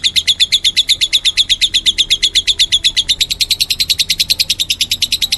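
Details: Lovebird described as meloloh: fast, continuous chatter of shrill chirps, around six per second, harsh and rhythmic without a break.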